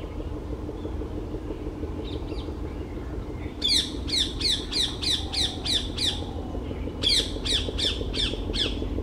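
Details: Green bee-eater (Merops orientalis), perched on tree branches in West Bengal, India, giving two bursts of sharp, high chirps, about five to seven quick notes each, over a steady low rumble of distant traffic.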